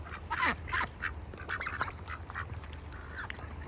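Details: Farm ducks sitting in a bucket during wintertime give loud, rapid nasal quacks early on, followed by softer chattering calls, with a low steady hum behind.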